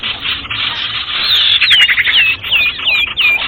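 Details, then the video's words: Sirtu bird lure call used for trapping: a rapid series of clear, downslurred whistled notes, about three per second, over a steady hiss of noise. "Suara PIKAT burung Sirtu anti gagal MP3 ribut"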